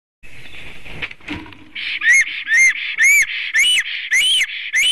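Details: Latvian Black Stork, Ciconia nigra, back at its nest in spring on 13 April 2019 at 9:36 AM, singing: after a noisy start comes a run of loud, hoarse, wheezy whistled notes, each rising then falling and repeated about twice a second.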